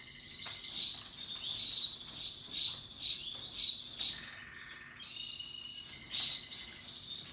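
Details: Happily singing Russian yellow and Timbrado canaries, with other birds, in natural habitat: bright, fast rolling trills and chattering runs, plus a lower sustained whistled trill near the middle.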